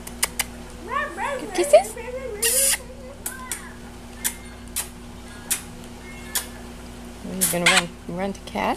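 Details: A pet green-winged macaw tells the dogs to "zip it," talking in short, raspy, human-like phrases with rising and falling inflections, broken by sharp taps and clicks.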